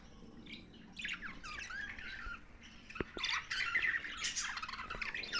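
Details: Budgerigars chatter softly at first, then louder, with scratchy warbles, quick rising and falling chirps and a few sharp clicks. A faint steady hum sits underneath.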